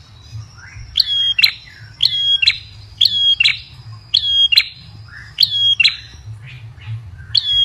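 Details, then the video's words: Ashy tailorbird lure call repeated steadily, with paired bright chirps about once a second for nearly eight seconds. Each note is a sharp, high, slightly metallic whistle, and a faint low hum runs throughout. "Pancingan prenjak kepala merah paling ampuh"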